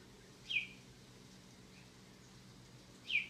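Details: A cockatoo at Airlie Beach gives two short, harsh, downward-slurred screeches about two and a half seconds apart, over a faint steady background hum.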